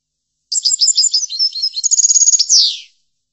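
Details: High, sparkling goldfinch song in chordonier style for tutoring, with quick varied chirps running into a steady fast trill and closing on a drawn-out descending buzz, recorded cleanly.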